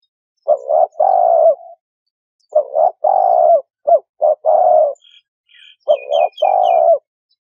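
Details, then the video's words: Cooing of a spotted dove played as a trapping lure: three phrases, each two quick coos then a long falling coo, and a few thin high chirps from another bird near the end. "Tiếng Chim Cu Gáy"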